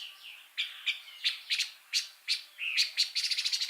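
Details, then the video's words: Pancawarna bird in full song: spaced sharp high chips about every third of a second, a slurred whistle, then a fast bright trill at the end. "Kicau Burung Pancawarna Gacor Suara Kontras Super Master..!!"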